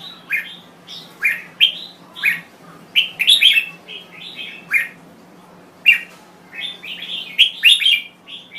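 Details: Thai Red-whiskered Bulbul singing short bright warbled phrases of a few liquid notes, each phrase about half a second, separated by brief pauses, with a faint steady low hum beneath.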